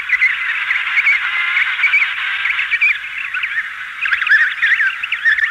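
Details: Emperor penguin colony with adults and chicks calling, wing beating, slightly hissy recording: a dense, continuous chorus of overlapping brassy, warbling calls, with clearer rising and falling whistled notes cutting through near the end.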